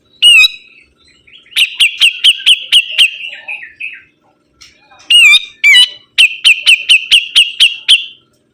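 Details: Sibuntung bird singing actively: loud sweeping whistles alternating with long series of rapid, strident repeated chips, about eight per run, with short pauses between bursts.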